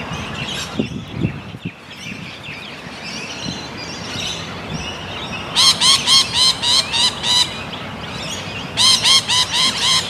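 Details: Sulphur-crested cockatoo producing two bursts of rapid, evenly spaced, loud arched squawks, about four per second, after a quieter stretch with scattered low thumps and outdoor background noise.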